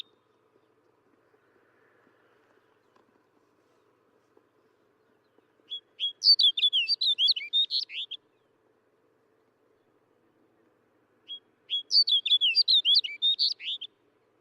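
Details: Snow bunting song, two short bursts about six seconds apart, each a quick run of a dozen bright, twittering, slurred notes lasting around two seconds, with silence between phrases.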